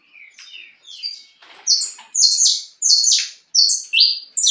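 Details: Saffron finch of a different mutation, kept as a good songbird, begins with soft lower chirps, then bursts into loud, rapid high chirped notes in clusters close together.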